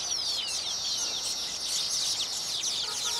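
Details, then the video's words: Baya weavers displaying at ready nests for inspecting females: a loud, unbroken wall of high wheezy chatter, with thin descending whistles woven through the rapid trills. "Baya Weavers sing and dance after building their nests"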